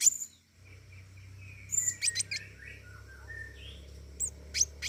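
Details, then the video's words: Flowerpecker known as pentis raja in full voice: a busy mix of high sharp chips and short thin whistled notes, with a low hum beneath. "burung pentis raja gacor"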